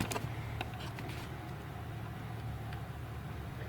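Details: Low vehicle engine rumble with a few sharp clicks, and no animal calls heard.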